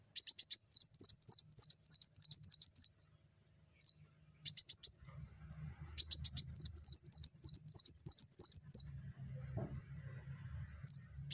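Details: Van Hasselt's sunbird in full voice, giving two long runs of sharp, very high, repeated falling notes separated by brief single chips, with soft low background rumbling.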